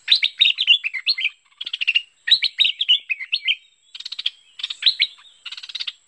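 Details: Merbah lekir bulbul calls recorded as a lure for trapping birds: rapid runs of chattering, slurred notes rising and falling, separated by short buzzy rattles, in about six bursts with brief gaps.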